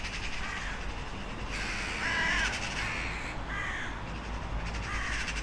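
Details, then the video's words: Crow uttering several raspy caws of varying length, one longer and louder in the middle, over a constant rumbling outdoor background. "Sunete de ciori. Sunete de pasare cioara."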